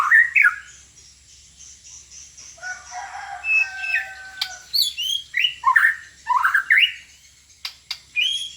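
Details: Magpie-robin song: varied high whistles and sweeping slurred notes, a softer warbled stretch midway, then loud rapid descending and rising phrases in quick succession with a few sharp clicks.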